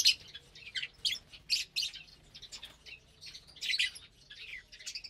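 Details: Several caged lovebirds call while eating vegetables and grains on a Saturday morning, 30 April 2022: a dense run of sharp, high squeaky chirps with short gaps and a faint low room hum.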